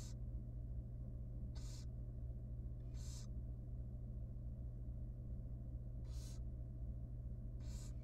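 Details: Tiny wild barn owl nestling at feeding time inside a research nest box gives five harsh, airy hissing bursts at uneven gaps of one to two seconds, with a constant deep hum underneath.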